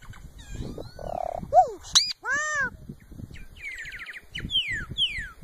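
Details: Solitary cacique singing a varied sequence: falling slurred whistles, a steady buzzy note, sharp upslurred chips, then arched ringing notes and descending whistles, with low rumbling background noise throughout.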